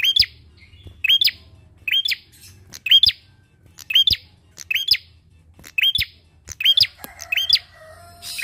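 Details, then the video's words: Lively bar-winged prinia, recorded as a lure to prompt other birds to sing, gives about ten loud, sharp, high chips at steady intervals of under a second, over a faint low hum. "PANCINGAN PRENJAK KLAWU GACOR!"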